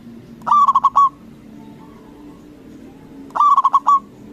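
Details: Local Indonesian zebra dove, a strong, loud singer used as a lure to make rival doves answer, gives two rolling cooing phrases about three seconds apart: a quick stutter of five throbbing coos ending in a longer held note.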